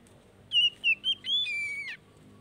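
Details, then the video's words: Oriental magpie-robin song used as daily therapy to stimulate a bird that has stopped singing: three short clear whistled notes followed by a longer slurred whistle, over a faint low background hum. "TERAPI HARIAN BURUNG KACER MACET"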